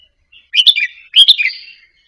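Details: Red-whiskered bulbul of the Indonesian type practising soft double-phrase song, used to stimulate caged birds to sing along; two loud, chirpy warbled phrases about half a second apart, each trailing off into quieter twitters.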